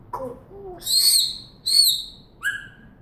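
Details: African grey parrot kept as a pet, giving low throaty voice-like notes, then two loud high whistles that bend downward, and a final clear falling whistle, all in quick succession.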